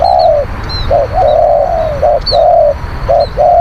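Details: Spotted dove used as a decoy to lure wild doves, praised as a bold, skilled cooer: low mellow coos, short rising notes then long drawn, slightly falling coos, repeated steadily with brief pauses over a low background hum.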